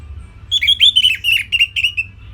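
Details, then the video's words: Orange-headed thrush song used as a training recording for songbirds: a quick run of clear, whistled notes that slur up and down, ending in a short falling trill, with a faint low hum underneath. "Kicauan Simpel ANIS MERAH"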